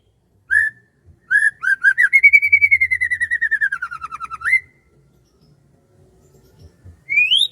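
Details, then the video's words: Morning birdsong over rice fields: two short whistles, then a fast trill of many clear notes drifting downward over about three seconds, closing with a rising note; another whistled phrase begins at the end. "SUASANA PAGI DI SAWAH SAMBIL DENGERIN KICAUAN BURUNG"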